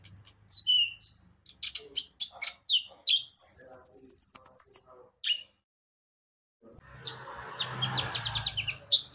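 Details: Javan white-eye lure song meant to start other birds singing: high twittering notes build into a fast rattling trill of very high pips, a pause, then a burst of rapid chirps over a soft rushing background noise.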